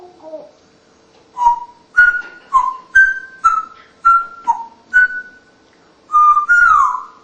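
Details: Mature female African Congo grey parrot, a tame rescued pet, gives a run of about nine clear whistled notes, each a short steady tone, some slightly rising or falling, spaced roughly half a second apart in a quiet indoor setting.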